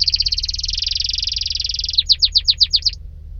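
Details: Canary holding a long rapid trill for about two seconds, followed by around eight evenly spaced, loud descending sweeping notes.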